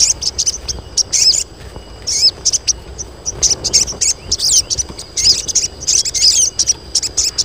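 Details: Group of female crested jays calling for males to mate; short clusters of thin, high squeaks and curled chirps repeated steadily, birds overlapping.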